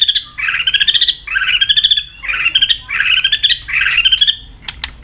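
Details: White-rumped shama in fighting trim, singing continuously and flicking its tail; five rapid buzzy trilled phrases, each rising a little in pitch, followed by a few sharp clicking notes.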